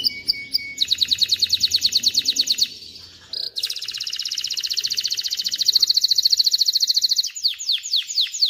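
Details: Male canary song aimed at tutoring chicks and readying females for mating: brief chips, then a long fast buzzing trill, a short pause, another extended rolling trill, closing with descending whistled sweeps.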